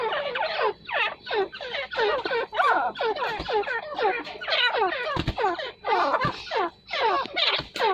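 Partridge calls in a fast, crowded run of harsh, descending notes, several each second and overlapping, as if more than one bird is calling.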